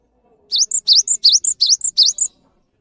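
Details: Cinereous tit song used as master recording for training other birds: about six crisp two-part phrases, each a swooping V-shaped whistle then a brief thin high note, delivered rapidly and evenly against near silence.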